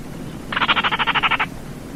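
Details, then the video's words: A short, frog-like rattle from a Baillon's crake: around a dozen crisp, rapid pulses over one second, with soft hiss before and after. "SUARA BURUNG RAWA TIKUSAN KERDIL"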